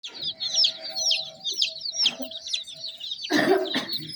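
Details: Baby chicken chicks chirping as they move about: a dense run of high, thin, down-slurred peeps from several birds at once, with a low hum underneath and a short burst of rustling handling noise near the end.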